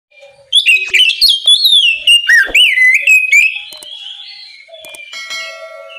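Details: Oriental magpie-robin giving a loud, open morning song meant to call other magpie-robins into singing: a three-second burst of rich whistled notes that rise and fall sharply, with quick clicks, then fading into softer distant chatter.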